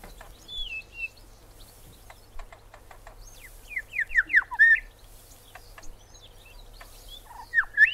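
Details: Grey Shrike-thrush, Australia: a brief falling whistle, then a rapid descending series of bright whistled notes building in loudness, and after a pause a final rich slurred phrase, over light clicks and hiss.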